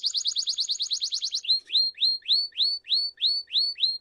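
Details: A Belgian canary of the "campainha" song type, whose song is used for teaching young birds, sings a fast, high trill of about a dozen notes, then bright rising whistled upslurs about three times a second; nothing else is heard.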